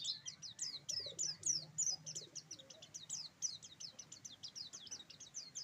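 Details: High, rapid roll tembak song from an Oriental white-eye of the buxtoni type, steady series of sharp downslurred chirps repeated several times a second against a hissy background.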